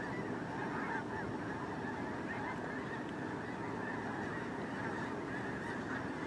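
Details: Snow geese massed during migration, heard as a steady, slightly distant-sounding chorus of countless nasal honks blending into one even, rushing din.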